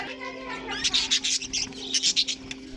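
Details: Budgerigars from a mixed colony with cockatiels make dense, scratchy chattering notes in uneven pulses, backed by a steady low droning hum.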